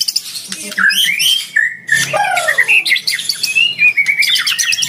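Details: White-rumped shama, fighter type, singing to challenge a rival; sliding whistles and scratchy chatter, a long falling whistle in the middle, ending in rapid repeated high notes.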